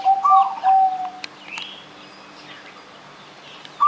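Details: Zebra dove song used to prompt other birds: the tail of a coo sequence with several soft low notes, then a quiet gap with faint chirps and clicks, and a new high coo beginning.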